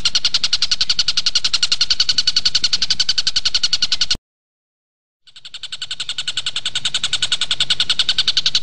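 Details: Kingfisher, known locally as tengkek buto, in a training recording for magpie-robins: bright, sharp notes repeated rapidly about three to four per second, steady throughout, broken by a second of silence midway before the chatter resumes and slowly grows louder.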